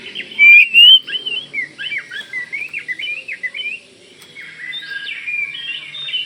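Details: Kalimantan Oriental magpie-robin singing vigorously so other magpie-robins answer; two loud clear whistles, then a chain of rapid up-and-down slurred notes, quieter warbling afterward over faint background noise.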